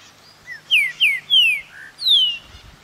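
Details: Green-winged saltator at a pousada in Vargem Bonita, Minas Gerais, Brazil, singing a short phrase of four ringing downslurred whistles, the last longest, with a soft lower note in between and faint background hiss.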